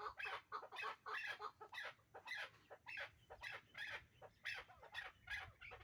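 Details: Hybrid chukar partridges, a pair, call in loud, hoarse clucking bursts repeated almost twice a second, each note harsh and broad, with a low hum underneath.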